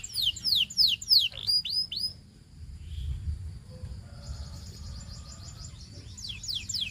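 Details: Canary song used for training: a run of rapid, bright, down-slurred whistled notes repeated several times a second, fading into soft, scratchy twittering with a faint high trill near the end.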